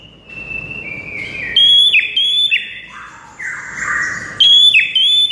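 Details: White-rumped shama song of clear, pure whistled notes, long steady tones alternating with lower slurred phrases and sharp high upslurred whistles, loud and ringing with a quiet background.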